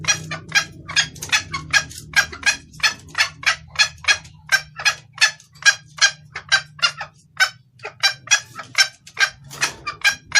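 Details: Female red junglefowl calling the male, meant for luring cocks: long, steady run of short rasping clucks, about three each second, with a low hum in the first part.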